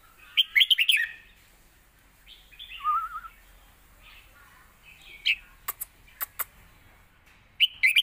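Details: Red-whiskered bulbul performing a score-winning competition song with full tone and phrasing, a southern master song used to train young birds; bright chirpy warbled phrases separated by short gaps, with scattered sharp tapping clicks.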